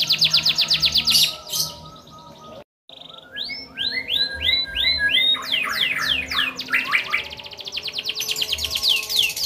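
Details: Caged canary in full rapid song, described as long-singing and used to make other canaries sing along: fast buzzy trills, sweeping upslurred notes repeated in quick series, a brief silent break near the start, no other sounds.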